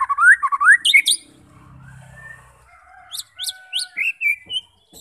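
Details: White-rumped shama song used to provoke fighting birds into singing: a quick run of loud whistled upslurs, then a quiet gap with a low hum, then sharp high notes and thin drawn-out whistles.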